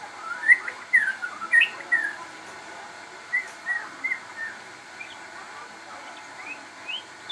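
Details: Crossbred shama, described as very vocal, singing a series of clear whistled phrases around mid-high pitch, with slurred rising and falling notes at irregular intervals, fading toward the end over a faint steady hum.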